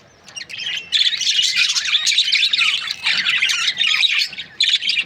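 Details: Budgerigars from breeding pairs start with a faint chirp, then swell into loud, scratchy, overlapping chatter with short pauses between bursts.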